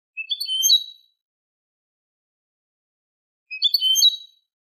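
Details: Malaga copla (Manolo) style Eurasian goldfinch song on a tutor tape for goldfinch and hybrid chicks: two bright, high twittering flourishes of mixed tinkling notes, each under a second, separated by a long silence.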